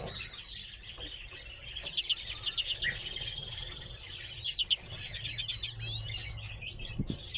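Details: Several redpolls kept as cage birds give dense, continuous high twittering, with rapid buzzy trills running through the chorus and a low background hum.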